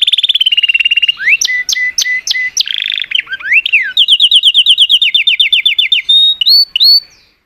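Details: Singing canary delivering a varied song: a rapid trill, a series of upswept whistled notes, a harsh buzzy burst, then a long run of quick rolling notes ending in a few slurred rising whistles before falling silent.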